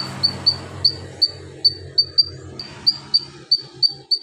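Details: Javan magpie-robin in full voice, its song filled with lovebird, golden grasshopper and cricket mimicry for tutoring: a single high, clipped note repeated about every third of a second, over a steady low background hum.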